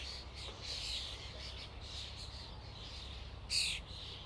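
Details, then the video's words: Common starlings calling as a flock: dense, wheezy chattering throughout, then a single loud grating squawk late in the passage, with a faint low hum behind. "Flock of starlings/ Stado szpaków/ Ein Schwarm Stare SOUND EFFECTS"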